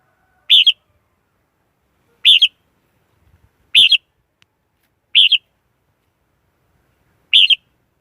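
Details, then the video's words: Red-whiskered bulbul decoy in a noise-free lure recording for attracting wild birds to traps: five doubled, liquid, warbled phrases repeated roughly every one and a half seconds. "Tiếng chim chào mào mồi dùng đi bấy cực sát bổi"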